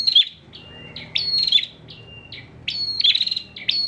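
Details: Caged bar-winged prinia from Pemalang, Central Java, singing persistently, a recording used to tutor other songbirds: short high whistled notes alternating with buzzy rapid trills, phrases bursting out roughly every second, with quieter gaps between.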